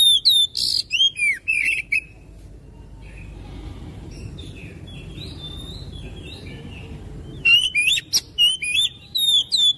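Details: Oriental magpie-robin song meant to trigger another bird to sing: a varied burst of whistles, trills and harsh notes, a long pause with soft distant calls over steady background noise, then quick repeated whistled phrases.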